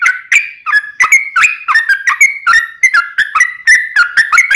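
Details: Yellow-vented bulbul delivering energetic long-rolling song as a lure: dense chain of gurgling, warbled whistles with no pauses, rising and falling quickly.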